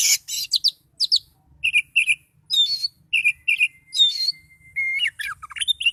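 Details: Oriental magpie-robin singing in a highly agitated, emotional state: a varied run of loud whistled notes, sharp chirps and rising and falling slurs, with a long level whistle held near the middle and brief pauses between phrases.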